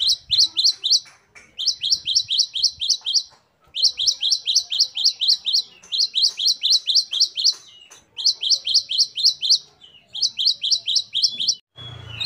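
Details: Great tit, known locally as gelatik batu, singing vigorously: high, sharp repeated notes that dip in pitch, delivered in rapid bursts of about five to eight notes. Short pauses separate the bursts. A brief low thump comes at the end.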